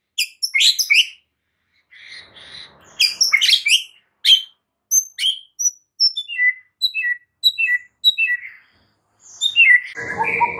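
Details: White-rumped shama lure song aimed at calming stressed shamas into energetic singing: clusters of high chirps, then a descending sequence of short sweet whistles, ending in a lower harsher burst.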